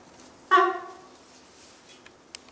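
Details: A cockatoo from family life among cockatoos gives one short, nasal, croaking squawk with a rich, layered tone. It fades quickly, followed by quiet room sound and two faint clicks.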